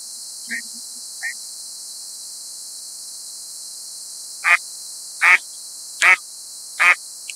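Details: Mallard in New York State, USA: two soft quacks, then four loud, harsh, nasal quacks evenly spaced under a second apart, over steady high hiss.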